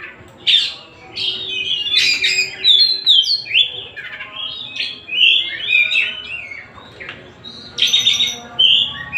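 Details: Singing Oriental magpie-robin, known locally as kacer Tasik: fluid whistled phrases alternating with scratchy trills and sharp chips, delivered in uneven bursts across the recording.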